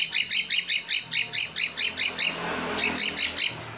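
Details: White-rumped shama competition song with mimicry fills favoured by judges: a rapid series of repeated sharp chirps, about three a second, over a faint background hiss.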